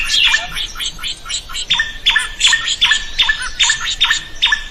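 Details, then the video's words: Drongo in energetic song for tutoring other birds; quick, scratchy, repeated clipped notes with a gurgling quality, running continuously at a few notes per second. "SUARA SRIGUNTING GACOR"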